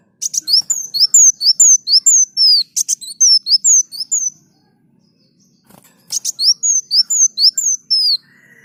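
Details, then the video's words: Sunbird in full song, for training other birds: a rapid string of high, piercing down-slurred whistles, about two per second, each phrase opening with a brief buzzy rattle, then a pause and a second run. "Masteran Burung Kolibri Daun Gacor"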